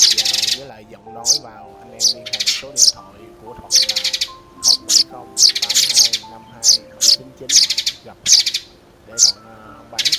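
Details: Trapping lure of sparrows: clusters of harsh, scratchy chirps come in bursts about a second apart, some longer chattering runs, all set against steady instrumental music.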